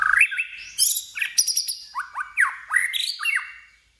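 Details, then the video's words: A white-rumped shama in fighting-contest song gives loud swooping whistles, short buzzy bursts and downslurred notes in quick succession, ending with a sudden sharp snap. "Chòe Lửa Hót Đấu ĐÂP TẠCH LIÊN TỤC"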